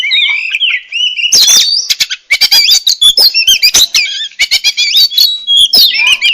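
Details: Oriental magpie-robin (murai kampung, murai cacing) in full song, a dense, varied run of warbled whistles mixed with many sharp clicks and chattering notes, almost without a break.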